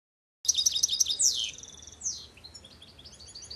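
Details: A goldfinch hybrid born in 2015 and hand-reared, perched on a finger, sings a quick, high twittering phrase of bright repeated notes, a sliding trill and scattered tinkling chirps, over a faint low hum.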